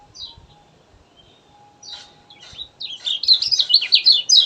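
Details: Kecial kuning, a lively gacor song meant as a lure for reluctant birds: sparse high notes, then from the third second a fast, dense run of sharp, twittering chirps sliding up and down.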